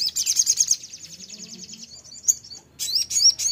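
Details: Blood-breasted flowerpecker (Dicaeum sanguinolentum) used as a lure sound to prompt caged birds to sing: a very high, thin, rapid twittering trill, then a short pause and a burst of sharp, sibilant chips.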